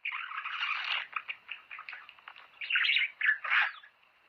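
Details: Budgerigar courtship-stimulating song: opens with a dense grating chatter, then spaced clicks, ending in loud squeaky bursts.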